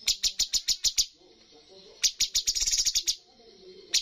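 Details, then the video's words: Bulbul in a bird competition gives a quick series of sharp high chips, pauses, then a faster, denser burst and a single final note. "cucak cungkok full tembakan poin tertinggi dalam perlombaan burung"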